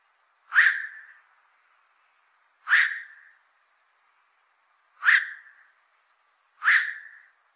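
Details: Black-crowned night heron repeating a harsh quok bark four times at fairly even intervals of about two seconds, every call a rough croaking burst fading quickly, over a faint steady hum.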